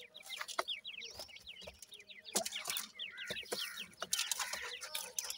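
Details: A brood of five 26-day-old Black francolin chicks, three females and two males, kept in captivity, produces a continuous chorus of quick downslurred chirps and twitters, with intermittent clicks and knocks.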